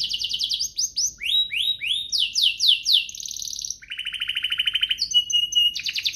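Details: Canary song meant to stimulate other canaries to sing: fast sequences of descending whistled sweeps, rising upswept notes, then a long rapid buzzy trill and clear high tones.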